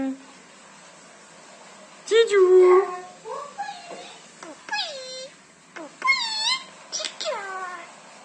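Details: Pet myna, two years old, talking in a small room with mimicked words. Voice-like syllables sweep down in pitch, one long nasal note, then a string of quick falling speech sounds over several seconds.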